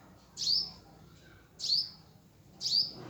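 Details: Hummingbird chirping at its nest: three short, high squeaky chirps, each a brief sharp rising note, spaced roughly one second apart in a quiet setting.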